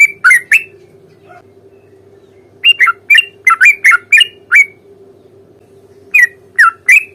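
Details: Sooty-headed bulbul in energetic fighting song meant to coax an answer: two quick chirps, a pause, a burst of about eight bubbly slurred notes, then three more after another gap, over faint hum.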